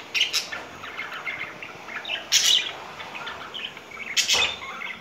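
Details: Spring-time courting pair of pet budgerigars: varied quiet chirps and warbles with sharp, noisy bursts at intervals, set against constant background hiss.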